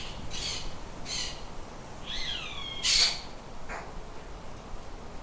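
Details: Birds in a shed: several brief buzzy bursts, then a clear whistled call sliding downward with layered tones, a loud harsh squawk, and a short sharp note over steady background hiss.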